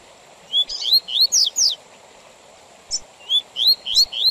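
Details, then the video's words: Double-collared seedeater with Tui Tui Zel Zel song, paused for teaching and contests: five loud clear upslurred whistles with shrill high accents, a gap, then a short note and four more rising whistles over a faint constant high tone. "Tui Tui Zel Zel Com Intervalos Para Encarte de Coleiros e Papa capim Perfeito Para Torneios!!!"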